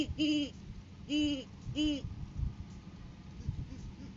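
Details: Great horned owls on a live cam during courting season, 7 January 2023, as the male brings a food gift to the female. Three separate mid-pitched arched notes with rich overtones, spaced about 0.8 seconds apart, then quiet low rumble.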